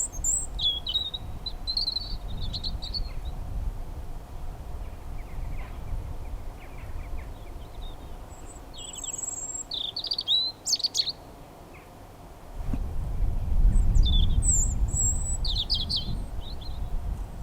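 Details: European robins, one of many around, at Elmley Nature Reserve, Kent, on 3 October; thin, high, scattered notes and short sweet phrases over a steady low rumble.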